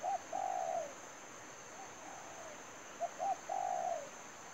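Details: Cooing of a spotted dove used as a lure in bird trapping: a loud phrase of short notes and a long falling coo, a faint echoing phrase, then another clear phrase, over a steady high whine.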